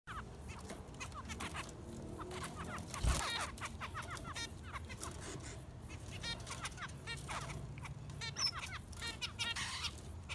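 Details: Finch chick begging while being fed: rapid runs of short, high, harsh chirps in quick bursts through the clip, with a steady low hum underneath and a brief loud thump near three seconds.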